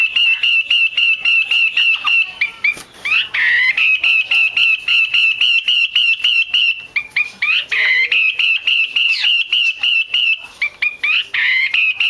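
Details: Female Chinese hwamei giving its 'te' chatter, used by keepers to stir males into singing: rapid runs of short, sharp, even notes at one high pitch, several per second, broken by a few brief rising twisted phrases.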